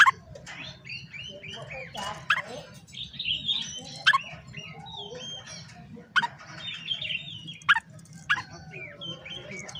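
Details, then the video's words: Oriental magpie-robin singing to call opponents. A dense, quiet tangle of quick warbled and whistled notes, with sudden sharp clicks every second or two, set against steady low background noise. "KACER GACOR NGOBRA, Kacer Lain Pasti Langsung Emosi Buka Ekor Kalau Dengar Suara Ini"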